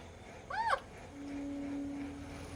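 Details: Alexandrine parrot kept as a pet, tasting ice cream for the first time, gives one short arched call with rich overtones, followed by a steady low indoor hum.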